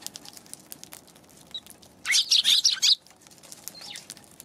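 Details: January 11 recording of a Eurasian tree sparrow. A loud, dense burst of high chattering chirps lasts about a second amid soft background ticking, and a few fainter chirps follow.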